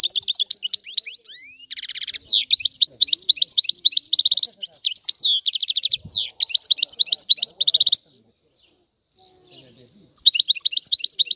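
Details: Extended European goldfinch song of continuous tinkling twitters interspersed with dry rattling trills, a silent gap of about two seconds, then the twittering resumes.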